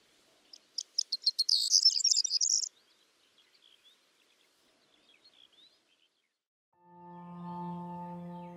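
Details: Corn bunting song: an accelerating jangle of dry, high clicking notes rising to a rapid scratchy trill, lasting about two seconds, then faint chirps; a low steady hum follows near the end.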